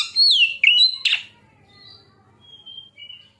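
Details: Oriental magpie-robin singing as a lure to get other birds to sing: loud, sweeping whistles, a falling note and sharp rising slurs in the first second, then soft, thin high whistles trailing away.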